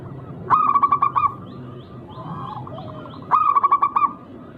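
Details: Rare local zebra dove rhythm used to lure rivals into calling; two short bursts of about six fast, clipped cooing notes each, separated by a quiet gap with faint background birds.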